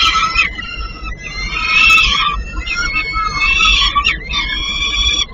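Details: Peregrine falcon chicks being fed in Płock, Poland: loud, harsh, drawn-out screeching begging calls, repeated in overlapping bursts of about a second with brief gaps.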